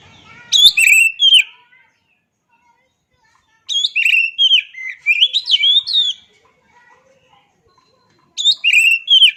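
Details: Natural song of an oriental magpie-robin, known as kacer: clear slurred whistles and chirps in three distinct bursts, the middle one longest and most varied, with silence between.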